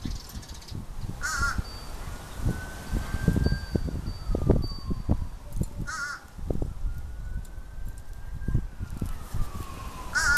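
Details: Crow recorded 4-11-23, calling short harsh caws roughly every four to five seconds, three in all, while a rising and falling siren wails and low traffic rumble continues throughout.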